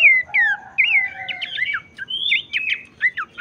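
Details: Abbott's babbler singing to encourage other babblers to sing. A short passage of drawn-out, down-slurred whistles and looping notes, with a faint low murmur underneath.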